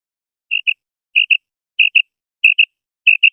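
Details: A female Common quail gives its raising call, sharp high double notes as paired chips about every two-thirds of a second, against a silent background.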